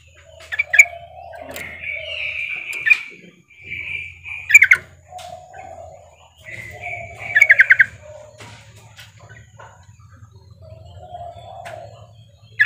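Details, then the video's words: Female sooty-headed bulbul summoning a male: repeated phrases of high sustained whistles mixed with lower mellow tones, punctuated by quick sharp bursts, across a steady low hum. "trucukan betina memanggil jantan"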